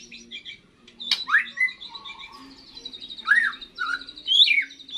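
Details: Young white-rumped shama giving its first song after moulting: varied whistled phrases with sharp rising and falling slurs and brief buzzy trills, separated by short pauses, over a steady low background hum.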